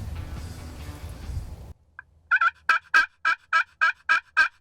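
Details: A male Wild Turkey (tom) gobbles back at a hunter's calls near a food plot with decoys, late morning in spring turkey season in Ohio. The gobble is a fast rattling run of throaty notes after a burst of rustling.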